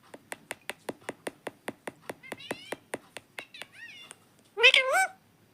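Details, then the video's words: Talking pet parrot indoors: a steady run of about fifteen crisp clicks, several faint rising whistled notes, then one loud harmonic wavering voiced call at the close. "parrot talking video"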